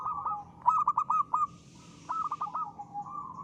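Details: Local zebra dove song used to coax other birds into singing: a quick series of about five sharp coos, a short pause with faint hiss, then another run of clipped notes ending in a drawn-out roll.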